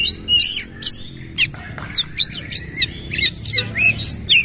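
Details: Oriental magpie-robin in forceful bursting song with a repeated bowing posture, mixing harsh squawky notes and scratchy clicks with bright whistled slurs, delivered in quick, uneven phrases.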